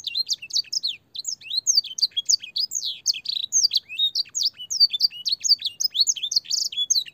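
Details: Long, clear canary master song with blackthroat and sanger fill, meant for training young canaries: a dense, unbroken flow of high chirps, trills and downslurred whistles.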